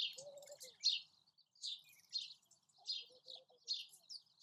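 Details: A semi-collared flycatcher, a small migrant seen in Kuwait in autumn and spring, gives short, high chirping calls in loose bursts about every second, with a faint lower warbling note underneath.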